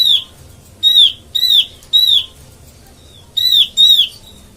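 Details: Oriental white-eye lure call used for bird trapping: loud, sharp, downslurred notes, mostly paired, repeated in bursts about a second apart, over a quiet low hum.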